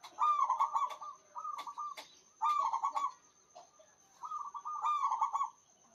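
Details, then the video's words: Vigorous local zebra dove song, loud and drawn out: four burry, rolling cooed phrases with brief gaps, punctuated by sharp clicking taps and a steady faint high whine. "PERKUTUT LOKAL GACOR SUARA BESAR DAN PANJANG"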